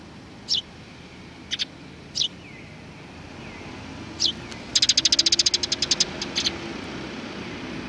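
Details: Sparrows on 30 March 2019 give a few separate sharp chirps, then a rapid run of about a dozen chirps in quick succession, with a low rumbling hum underneath.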